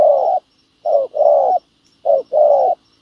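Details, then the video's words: Spotted dove used as a ground decoy to lure wild doves, meeting a wild bird in the field. It gives deep, hollow coos, a short note then a longer drawn-out one, repeated twice. "bẩy cu gáy mồi đất hay..gặp bổi đồng gù khá tốt"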